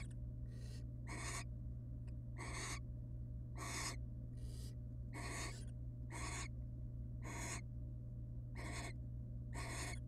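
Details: Nest box of wild barn owls, adults together next to their babies; a long run of rasping, noise-like hisses, each under half a second, coming almost once a second with uneven spacing, low hum beneath.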